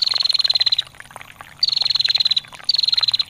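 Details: Three quick runs of high, rapid ticking from a female bar-winged prinia calling ngetir, each under a second and slightly falling in pitch, over a bed of flowing water.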